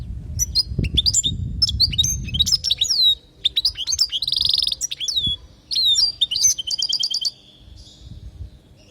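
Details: European goldfinch song from Palestine, used to teach young goldfinches: lively tinkling twitters, liquid high chirps, a brief buzzy burst and rapid trilled runs, jumbled phrases with short pauses, with low background rumble.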